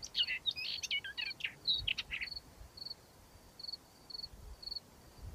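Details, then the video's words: Upcher's warbler song: a fast, scratchy jumble of high chirps and trills, then short high notes repeated about every half second, against a quiet rural background. "Dağ mukallidi ötüşü - Upcher's warbler singing"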